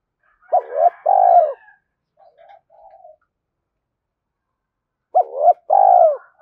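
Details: Spotted dove decoy call played to excite wild doves: two-part cooing phrases, a bent short note plus a long smooth coo, separated by quiet faint murmurs and a pause of several seconds.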